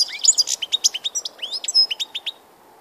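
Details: Goldfinch recorded 16 March 2014 pours out a continuous two-second string of clear, upslurred tinkling notes at an even, rapid pace, then falls silent.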